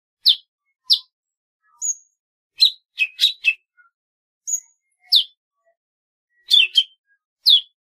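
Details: Golden-fronted leafbird song: separate short sharp notes, some sweeping downward, some short flat whistles, given singly or in quick pairs about every half second to a second, with silence between.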